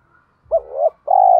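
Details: Decoy spotted dove with a 'thổ' voice, used to provoke wild doves into cooing: a short low coo that swells, then a longer steady pulsing coo, with no other sounds.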